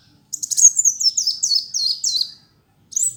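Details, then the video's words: Sunbird of the type called Kolibri Wulung, a vigorously singing fighter-type bird kept as a tutor song: a rapid run of very high, thin chirps and sliding twittering notes, then a short pause and a brief high burst. "Kicau Burung Masteran Kolibri Wulung ayah Gacor"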